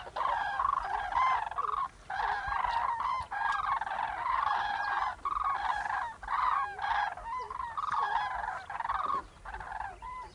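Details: A flock of common cranes, winter visitors in Gujarat, India: loud, rolling, trumpeting bugles from many birds overlapping almost without pause, with brief gaps every second or two.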